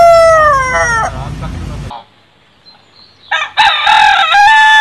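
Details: A rooster crow slides downward and fades over about two seconds. After a quiet gap another crow begins with choppy notes and then holds a bright, steady tone.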